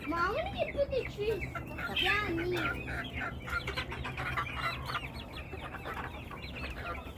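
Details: Flock of chickens with low, rounded clucking notes at the start, then a dense chorus of quick high peeps and chirps; a faint voice is also present.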